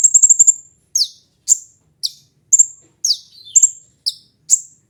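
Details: Kolibri ninja sunbird with a fast stuttering trill of high chips followed by evenly spaced, strident descending chirps and short whistles.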